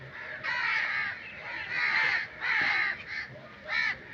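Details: Crow caws in nature: several long, hoarse calls with short gaps, ending on a shorter clipped caw.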